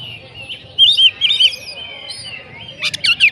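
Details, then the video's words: Oriental magpie-robin konslet singing: loud sweet looping whistled phrases, a long thin whistle, then a closing flurry of harsh buzzy chips. "kacer macet auto konslet"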